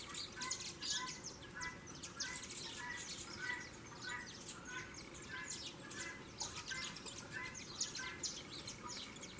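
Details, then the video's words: Saffron finches squabbling as breeding season nears: a dense, continuous chatter of thin high chirps and buzzy notes with lower repeated tones underneath, set against a constant hiss. "canário da terra hoje tá fogoso virou só briga"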